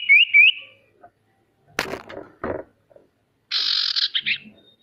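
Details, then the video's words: Used as a lure to get reluctant birds singing, this male sirtu gives quick wavering whistles, then after two sharp knocks a rasping buzzy phrase broken into pulses. "Suara sirtu untuk memancing burung pemalas bunyi agar bisa rajin mau bunyi"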